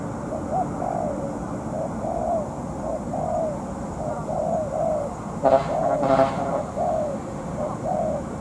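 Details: Spotted dove trapping decoy, molting, in a long contest with a wild bird. Repeated mellow coos, with two short bursts of louder broadband noise partway through.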